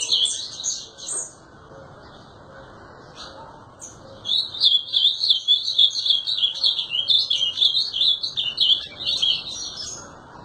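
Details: After a quiet opening with a few scattered notes, the azulão bursts into sustained, rapid high warbling that runs for several seconds before trailing off.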